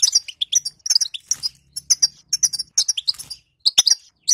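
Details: European goldfinch batbata-style song, played to prompt a silent goldfinch to sing: rapid high twittering of short chirps and buzzy trills in bursts, with brief pauses and a faint low hum beneath.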